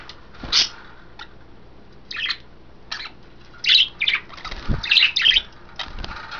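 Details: Pet budgerigars, three females bathing in wet vegetables and a raised water dish, recorded February 2012; scattered scratchy chirps building into rapid clustered squawks, with occasional low thumps and faint hum.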